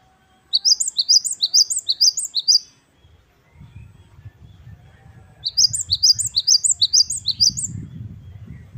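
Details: Wucit-wucit kristal song of a Great tit (gelatik batu wingko): two bursts of rapid, high, sweeping double notes about eight per burst, separated by a pause filled with low rumbling background noise.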